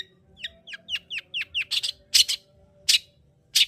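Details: Long-tailed shrike song used to stimulate a lazy bird to sing: a run of sharp downward-sweeping chirps about every quarter second, then louder harsh broadband notes spaced out, with a faint steady hum beneath.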